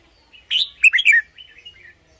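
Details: Red-whiskered bulbul song for use as a decoy or to excite caged birds. A loud whistled note leads into a quick liquid trill of falling notes, ending in a soft fading warble.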